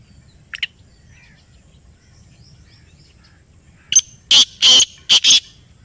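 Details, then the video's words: Kala teetar, the black francolin, responding to a played call: after a faint chirp and a pause, a sudden run of four loud rasping notes, the second longest, ending the phrase. "یہ آواز سنائی تو کالا تیتر بول اُٹھا . Kala Teetar Ki Awaz | Black Partridge Voice"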